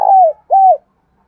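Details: Spotted dove calling in the morning in Đồng Nai: two low, level coos that drop slightly at the end, separated by a brief pause, in a quiet setting.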